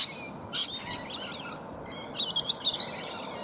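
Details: Rainbow lorikeets feeding on native bottlebrush flowers high in a tree; two clusters of shrill, grating screeches separated by a quieter pause, several birds calling together.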